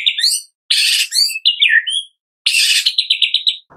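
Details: Murai batu, or white-rumped shama, in loud kretekan lure song to encourage other shamas to sing: harsh buzzy bursts mixed with sweet slurred whistles, ending with a fast series of six clipped high notes.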